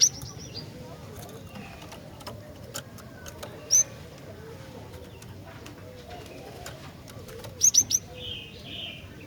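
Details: Female Javan sparrow calling to males: scattered thin high notes, one isolated note, then a tight run of three sharp notes, followed by softer chirps against a low rumbling background.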